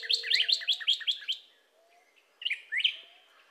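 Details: Cardinal song: a quick series of seven bright, downslurred whistled notes, a brief pause, then two louder sweeping whistles.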